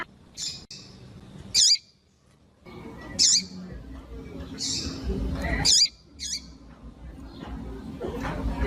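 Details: Female double-collared seedeater calls for warming up a cold male and prompting his song: isolated sharp, high-pitched chirps with softer lower notes, several seconds apart, against low rumbling background noise.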